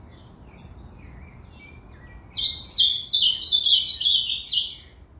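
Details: Ultramarine grosbeak singing: a few thin, high whistled notes first, then a rich warbled phrase of rapid slurred notes that tumble downward and last about two and a half seconds, over a quiet background.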